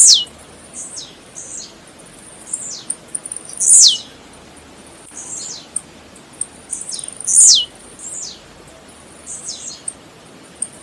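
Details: Several Blue-black grassquits singing in nature: loud and fainter phrases overlap, each a very high, sizzling buzz dropping sharply in pitch after quick ticks. Phrases repeat every one to two seconds over light background hiss.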